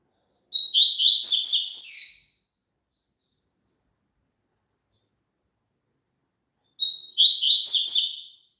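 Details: Papa-capim (double-collared seedeater) song used to prompt a caged bird to sing: two phrases about six seconds apart, each a sharp whistle followed by a fast, scratchy warbled trill, the gap between them silent.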